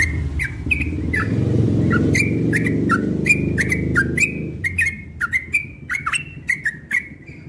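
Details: Cream-vented bulbul in a cage outside one morning repeats short sharp whistled chirps, rising and falling, while a loud low rumbling noise covers the first half and then fades.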